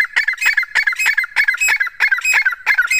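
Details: Calls of a female grey francolin, known locally as desi teeter: a continuous run of loud, harsh, cackling squawks delivered in quick uneven bursts, roughly two groups per second, with no other sounds.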